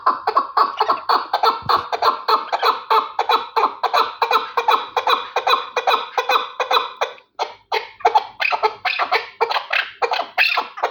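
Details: Rapid, rattling chatter of a Terali chukar partridge, dense clucking notes pouring out continuously, briefly pausing, then resuming in sharper, separated chuks.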